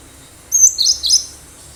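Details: A wild cinereous tit in active song, used as a lure: a thin high whistle followed by two quick, slurred chattering notes in a short phrase.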